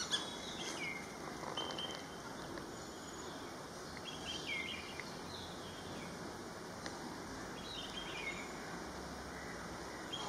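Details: Shikra (Accipiter badius) in Pune city, India, giving short, shrill, whistled notes in brief bursts about every four seconds over a steady rushing background hiss.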